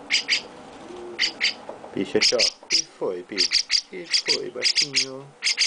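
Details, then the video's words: Baby Chestnut-cheeked starling kept by its owner, making bright, high doubled chirps in rapid runs, mixed with lower, wavering sliding notes and soft human voice in the background. "Chestnut-Cheeked Starling baby mukudori carinho"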